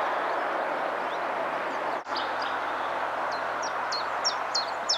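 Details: Common chiffchaff singing as a strong rushing hiss fills the background; after a brief dip in the noise, a short series of about six sharp, high, evenly spaced notes begins and carries on to the end.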